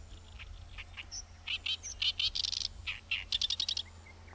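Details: Great reed warbler in full song in Japan: a loud run of grating, scratchy syllables, some repeated quickly in bursts of four to six, mixed with sharper high squeaks, over a constant low droning background.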